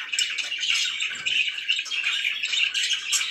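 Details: Scratchy, rapid chirping warble from pet budgerigars, steady and unbroken, with a few sharp high notes.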